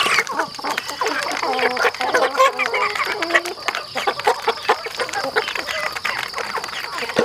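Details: Several farm chickens eating together: busy overlapping clucks, low purring notes and a few rising squeaks, with constant clicking of beaks pecking at food.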